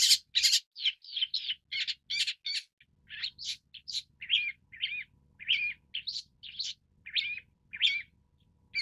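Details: Long-tailed shrike (Lanius schach): rapid run of sharp chirps and squeaky, varied notes, delivered in quick succession with brief gaps, loud and clear against a quiet background.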